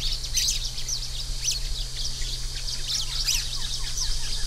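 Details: Song of an orange-fronted yellow finch, steady high-pitched twitters and sharp chirps repeated in clusters about every second, with a constant low hum underneath.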